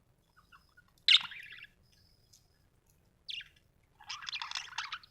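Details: Budgies at home making a few sharp, harsh chirps separated by silence, then a longer burst of scratchy, buzzing chatter at the end.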